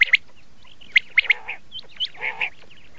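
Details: Common quail of the red shade variety giving sparse, sharp upswept chirps, a few doubled, with softer buzzy harmonic notes in between and quiet gaps.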